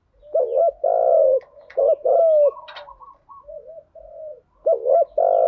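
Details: Lure cooing of spotted doves, male and female, in the thúc gù and gáy gọi styles for stimulating decoy birds: deep resonant coos in short-long pairs, softer distant cooing in the middle, then another loud pair.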